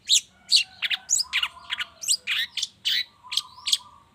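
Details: Long-tailed shrike morning lure to start shrikes singing: a busy, varied medley of sharp chips, squeaky whistles and harsh notes tumbling almost without pause, some notes sliding down, over a faint low background hum.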